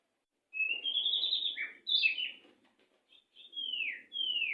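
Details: White-rumped shama training song for stalled captive birds, fast and dense: long clear rising and falling whistles with a quick twisting phrase, over a soft low murmur.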